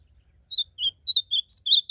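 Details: Blue-black grosbeak singing in nature as part of a song contest: clean, separate whistled notes, rising and falling, coming faster toward the end, in an otherwise quiet setting.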